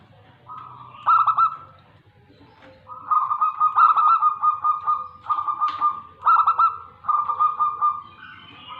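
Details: Local zebra dove from Tegal, Indonesia, cooing a run of rolling, trilled mid-pitched notes, each phrase starting with a quick bubbling burst and held briefly, repeated steadily over several seconds.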